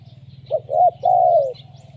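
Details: Spotted dove used as a lure bird, giving a lively call: two short low coos followed by a long drawn-out coo that slides slightly downward, with a steady low hum beneath.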